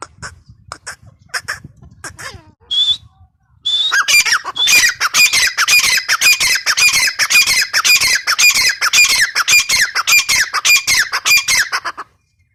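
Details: Grey francolin female, known locally as teetar: a few scattered harsh notes and a short whistle, then a long, steady chain of loud rasping squawks repeated almost twice per second for about eight seconds before stopping.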